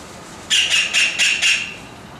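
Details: Juvenile white-throated kingfisher heard close up, giving a quick series of five harsh, rasping notes, about four per second, each with a bright, steady upper tone, before falling quiet; faint background hiss.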